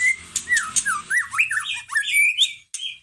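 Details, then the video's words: Squawking, twisting whistles from a white-rumped shama in a fast, jumbled sequence over a low background hum, used to provoke another shama into song. "Pancingan masteran pendongkrak emosi murai batu loyo langsung nyahut Gacor"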